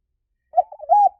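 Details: Brief spotted dove phrase: a soft stuttered coo running into a steadier hollow note, quiet and low-pitched, with silence before it.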